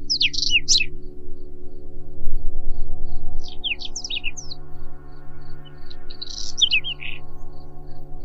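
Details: Whinchat, intermittent song of brief phrases separated by pauses: creaky chirps, twitters and high whistled notes in three bursts, accompanied by a low steady humming music drone.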